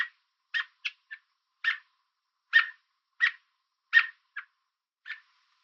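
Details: Chirping American robin on a fence in Southern Ontario, Canada, apparently warning something to keep away; loud abrupt notes come in an uneven burst, several short pips squeezed between stronger chips, with no other sounds present.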